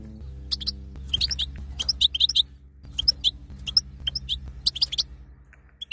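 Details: A female European goldfinch calls in batbata style to excite a male to mate, uttering scattered high, clipped chirps in small groups over a persistent low buzzing hum and faint rustling.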